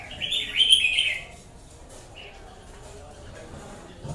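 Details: Red-whiskered bulbul giving one loud, quick warbled phrase lasting about a second, followed by near silence with faint background noise.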